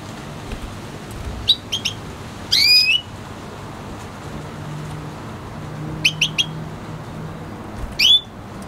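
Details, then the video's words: Red hooded siskin hybrid, a Spinus F1 canary mix, singing: sparse short bright notes, clipped chips and rising whistled slurs with buzzy overtones, in scattered bursts with quiet gaps and a faint low hum. "Red hooded siskin singing | Cardenalito venezuela cantando"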